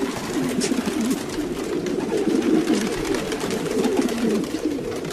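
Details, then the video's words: Domestic pigeons in a group giving deep, bubbling coos that overlap into an unbroken, steady low murmur with faint rustling above. "Sounds of pigeons.Domestic pigeons"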